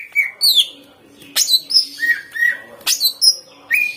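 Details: Greater green leafbird in energetic harsh-voiced song used as a lure to make leafbirds sing; high swept whistles, sharp downward strokes and repeated slurred notes follow one another rapidly.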